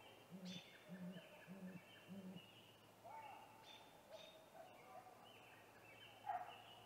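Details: Male great grey owl near its snag tree nest on an April 2019 evening, calling before a nest visit: four deep hoots open, followed by scattered higher, thin bird calls over steady low hum.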